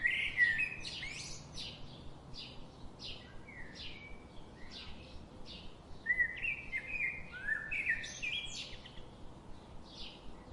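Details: Daily garden visitors, wild birds, chirping busily: a lively run of sharp, high chirps and short slurred whistles, roughly two or three a second and uneven in rhythm, with faint outdoor noise underneath.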